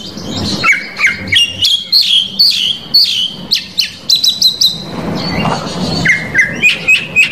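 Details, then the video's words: Oriental magpie-robin delivering a varied provoking song aimed at rival males: a lively string of sharp chips, whistled slurs and lower fluty notes, with a harsh noisy burst partway through. "KACER COR DOR BONGKAR ISIAN PAS UNTUK MEMANCING KACER LAWAN"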